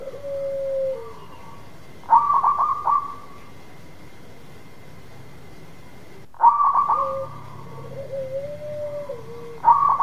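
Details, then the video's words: Local zebra dove singing actively, used to lure a dove that has stopped singing; two phrases of quick staccato coos, each trailing into a longer lower coo, about four seconds apart, over a steady faint electronic tone. "Perkutut lokal gacor memikat perkutut yang macet bunyi"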